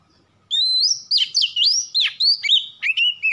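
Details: Lure song of an Oriental magpie-robin, used to get kacer birds singing fast: a long bright whistle followed by a run of swooping, twisting notes, each dipping and rising, ending in a lower wavering whistle; background silent.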